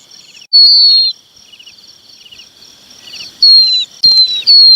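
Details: Red-wattled lapwing chick calling its parents: four high, thin, down-slurred whistled peeps, each about half a second long, given at uneven gaps over a steady shrill insect chorus.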